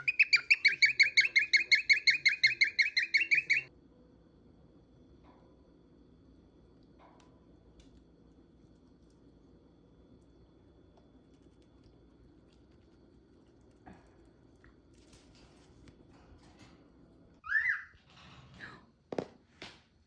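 A cockatiel gives a fast run of bright, harmonic chirps, then one squawk after a quiet pause.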